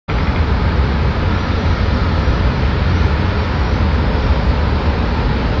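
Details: Steady, loud rumble of road traffic and passing vehicles fills the recording, dominated by deep low-frequency engine noise, with no animal voices heard.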